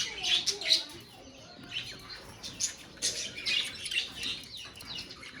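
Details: Budgerigars of a colony give scattered sharp, high chirps and short squeaky notes, irregularly spaced, over a low murmur of background chatter.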